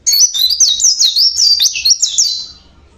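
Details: High, fast warbling song of a local Java Oriental white-eye, sung naturally: a continuous chain of rising and falling twittered notes lasting over two seconds before it trails off.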